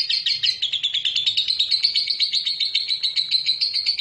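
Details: Sustained ngekek song of a lovebird, used to goad rivals into answering: dense, rapid high-pitched chattering notes in an unbroken trill throughout, pitch holding fairly level.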